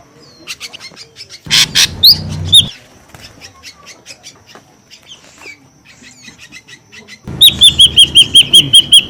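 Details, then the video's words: Noisy lure call of an ashy drongo: thin chattering notes, a harsh broad burst with a rising whistle, quieter ticking, then a rapid regular run of high down-slurred whistles. "SUARA PIKAT SRIGUNTING RIBUT | SUARA PIKAT SRIGUNTING ABU ABU"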